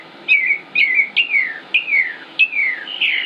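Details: Male northern mockingbird (Mimus polyglottos), Concord, North Carolina, United States, 25 May 2016, singing nonstop: clear whistled notes slurring downward, given about five times in a row, closing on a higher buzzier note.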